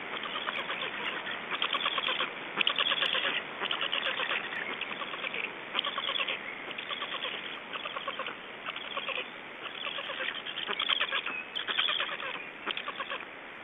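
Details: Black stork chicks left alone at their nest by a parent in Estonia, 3 June 2012, 19:18; hoarse, raspy, harmonic call bursts repeat roughly once a second in uneven runs, with steady hiss beneath.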